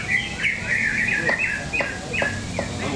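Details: Greater green leafbird singing at a songbird contest at an arena in Cikeas: a rapid run of loud, clear whistled notes, several sharply falling or rising, in quick irregular succession, with low crowd murmur beneath.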